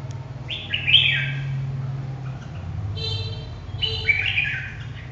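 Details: Red-whiskered bulbul with two clear bursts of quick, bright, slurred whistles, the second accompanied by a faint harmonic ringing tone, over a steady low hum.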